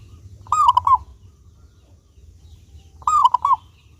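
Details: Clear-voiced local zebra dove singing as a lure for other doves: two crisp cooing phrases, each a rising first note followed by quick bouncing notes, spaced about two and a half seconds apart, with a faint low hum.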